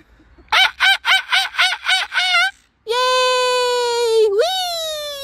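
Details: Pet Moluccan cockatoo making joyful sounds at a park in summer. Seven quick, loud, harmonic honking notes in a rhythmic burst are followed by a long, steady, buzzy scream that lasts about one and a half seconds and ends in a rising twist.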